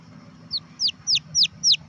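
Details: Five high falling peeps from a red junglefowl chick, starting soft and growing louder, spaced roughly a quarter second apart over a low background hum.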